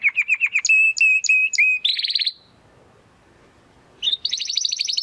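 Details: Young Spanish Timbrado canary practising its song: quick repeated chips, then evenly spaced whistled notes, a dense rolling trill, a two-second pause, and a fresh high rapid trill.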